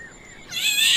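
Black-naped oriole: a faint thin whistle, then a single harsh, raspy, cat-like note.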